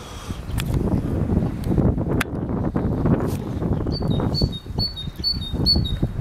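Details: Great tit song heard late in the recording: five or six rhythmic two-note phrases, high then lower, after several seconds of loud low rumbling and knocking.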